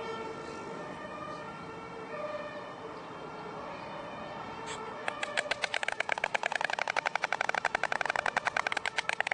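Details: White storks at their nest in Vetschau, late morning at 11:45, during alarm and feeding: after several seconds of low background hum, a fast, hard rattling clatter starts abruptly and continues in rapid, even knocks to the end.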